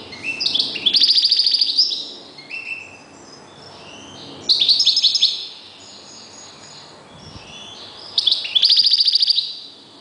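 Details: A kept European goldfinch, one of its owner's decoy birds, sings three loud bursts of fast, twittering, tinkling notes with buzzy trills, separated by quieter gaps of a few seconds.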